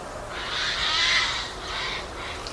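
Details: Bathing Eurasian Jay in Portugal giving one long, hoarse, tearing screech, followed by a shorter softer rasp, against a low steady background hiss.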